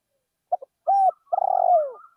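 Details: A single cooing phrase from a decoy spotted dove in a rice field: two soft clipped notes, a steady hoot, then a long trembling coo that falls in pitch.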